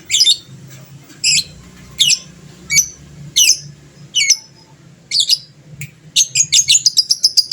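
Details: Fighter lovebird in full song, played to spur rival birds to call back; shrill high chirps spaced under a second apart, ending in a quick run of repeated piercing notes, with faint low background hum.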